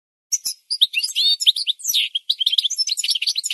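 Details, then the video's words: A goldfinch sings a continuous rapid warble of high twittering notes and trills, mixing liquid chirps with short buzzy elements, in a recording meant for training birds to sing. No other sounds are present. "The Best Singing Goldfinch"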